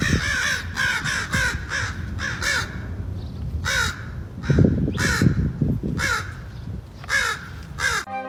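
A raven gives about ten harsh, croaking caws in quick, irregular bursts, with a low musical rumble underneath.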